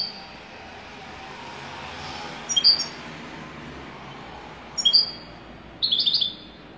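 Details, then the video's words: Wydani-style European goldfinch song as three separate bursts of high, tinkling chirps, the last a longer jangling run, spaced by quiet gaps with steady low background noise. "تغريد حسون ويداني"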